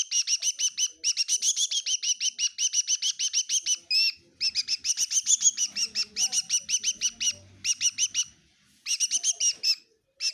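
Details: A bird indoors in a kitchen at Tseminyu, Kohima chirps almost nonstop: fast runs of sharp, high-pitched twittering notes broken by brief gaps, with faint low background rumbles.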